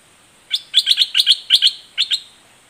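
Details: Red-whiskered bulbul of the southern Dok Taeng type, singing in the doubled, fierce style: bright chirpy notes in quick pairs and triplets, then a short pause and one more pair, on a quiet background.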